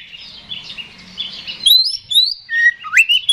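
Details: Oriental magpie-robin singing to provoke a rival to fight: soft buzzy twittering first, then clear, loud whistled notes, each sliding upward, delivered in a rapid, uneven series.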